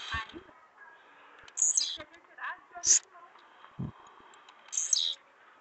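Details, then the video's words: Blue-black grassquit singing in the trincado style. Three short, high, buzzy phrases, each dropping in pitch, come about a second or two apart over low voices, clicks and handling noise. "tiziu Pretão azulado trincado é cantando muito"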